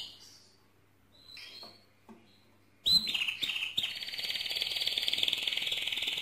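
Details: Mosaic canary song beginning with faint separate chirps, then a few sharp rising notes leading into a steady, fast, buzzy trill sustained to the end.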